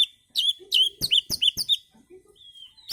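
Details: Oriental magpie-robin in relaxed song, used as a lure for other birds: clear whistled notes near one pitch, a quick series of short bright phrases in the middle, then a long sliding whistle and a final sharp note.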